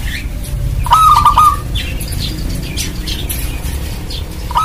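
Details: Local Indonesian zebra dove, a prolific singer, used as a lure to make other zebra doves call: one half-second trill of quick cooing pulses, scattered chirps of other birds around it, and a new phrase starting at the end.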